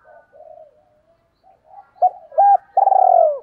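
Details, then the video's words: Spotted dove used as a lure to attract wild doves: soft low coos at first, then two short hollow notes followed by a longer rolling, throbbing coo ending the phrase; otherwise quiet. "tiếng chim cu gáy kích bổi nhanh nổi hiệu quả"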